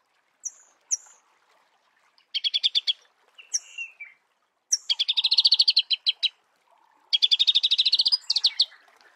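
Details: High squeaky notes from a Marico sunbird in its natural habitat, broken up by short bursts of fast trilling that build into longer, rattling runs.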